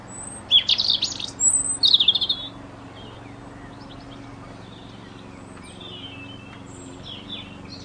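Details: A bird chirping: three loud bursts of fast, scratchy high notes in the first two seconds, then only faint distant chirps over a quiet low hum.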